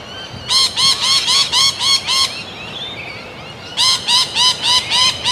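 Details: Sulphur-crested cockatoo, a large white cockatoo, giving loud harsh squawks in a rapid run of seven, a short pause, then another run of six, each note grating and rich in overtones.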